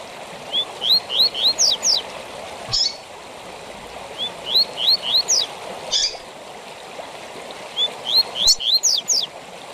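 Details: Coleiro (double-collared seedeater) repeating its 'tui tui zel zel' song, a training model for coleiros and papa-capim. Three phrases about three seconds apart, each with rising whistled notes followed by quick descending zips, over a rushing hiss.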